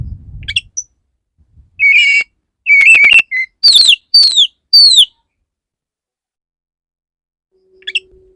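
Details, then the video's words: Male Oriental magpie-robin wooing a female, giving wavering whistled phrases then three falling slurred whistles in quick succession, followed by silence and a faint final chip. "Pancingan burung kacer jantan perayu burung kacer betina gelis"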